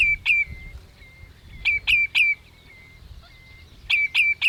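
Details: Short bursts of two or three loud, sharp piping notes from a Common redshank, each burst trailing into a thin level whistle, repeated about every two seconds; morning of 27 May 2018 at Hüde, Ochsenmoor, on a Panasonic Lumix GH5.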